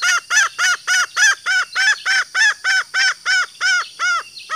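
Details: Green junglefowl female calling to lure males, a loud even series of arched, harmonic-rich clucks repeated about three times a second, ending abruptly, with a faint steady high hiss in the background.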